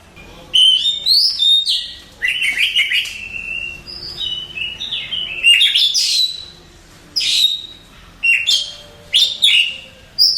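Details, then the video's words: Contest-winning Oriental magpie-robin in long, varied song: whistled slides, buzzy bursts and sharp high notes in separate phrases with brief gaps between them. "Suara Kicauan Burung Kacer Juara Kontes"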